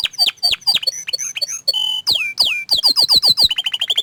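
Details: Orange frost canary song in quick succession: sharp downward-sweeping whistles, a short steady held tone, more falling slurs, then rapid repeated chips accelerating into a bright trill.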